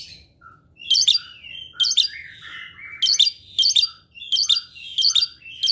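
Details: Chattering, scratchy phrases from a kept Asian pied starling, noted as a constant talker and clever mimic, repeat roughly every second, each a dense cluster of high squeaky notes with lower slurred whistles between.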